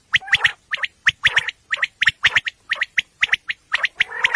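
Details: Common quail at night, a recording used for hunting, described as female: steady rapid series of sharp, clipped triple notes, about three bursts a second, with a short buzzy note at the close.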